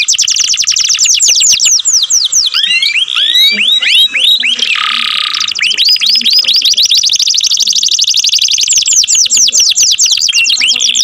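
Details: Canary singing loudly, a long unbroken run of fast high trills mixed with rising and falling whistled sweeps, with a brief buzzy burst in the middle before the rapid trilling resumes.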